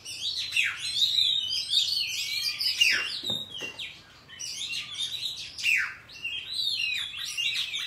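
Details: An Oriental magpie-robin sings its wild forest style, meant for teaching juvenile birds: fluid whistled phrases with steep descending slurs, a brief quieter gap midway, then more bright, varied notes.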